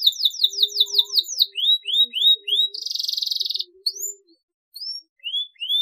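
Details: Canary song for stimulating silent canaries to sing: a rapid run of descending notes, a series of rising whistled slurs, a buzzy rattling roll, then sparse rising whistles.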